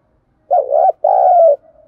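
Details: Lure call of a decoy spotted dove for training wild-caught birds to coo fast: a soft, wobbling first note followed by a longer, even, slightly falling coo, with a faint trailing hum afterwards.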